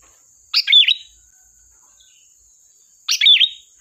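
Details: Lure recording of a sooty-headed bulbul singing: two lively chirped phrases about two and a half seconds apart, each a rapid jumble of notes ending in a clear whistled wobble, with a thin constant high-pitched hum behind.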